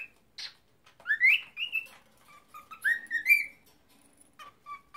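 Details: Pet cockatiel trying to talk and sing, giving a series of short rising and falling whistles with a few chirps, the phrases close together and clear against a quiet room.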